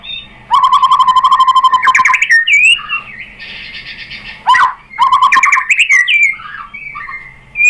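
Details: Murai batu, the white-rumped shama, in a lure song to provoke a rival into singing: harsh buzzy sustained notes alternating with quick bright whistles and slurred phrases, separated by brief pauses.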